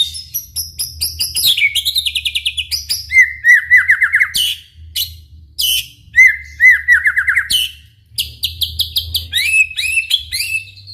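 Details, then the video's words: Vigorous White-rumped shama song meant to set other shamas singing: high rattling trills, then two long runs of quick descending whistled notes, ending in bright varied twitters. "MURAI BATU GACOR COCOK UNTUK MEMANCING MURAI SUPAYA RAJIN BUNYI AUTO NYAUT IKUTAN GACOR | SHAMA BIRD"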